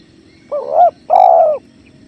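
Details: Spotted dove, on a training recording set against clear river flow, giving two loud hollow coos, a short rising-falling note then a longer drawn-out one, over soft steady water background.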